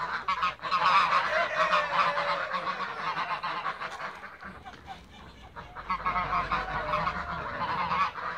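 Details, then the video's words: Several Toulouse geese in a backyard during feeding and flight, giving loud rolling honks that ease to a lull mid-way and then swell again to a dense chorus. "TOULOUSE GEESE FLY AND FEEDING IN THE BACKYARD"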